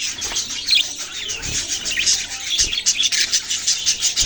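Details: Baby budgies give rapid, thin chirps and brief upward-sweeping squeaks, packed closely together in a steady high chorus.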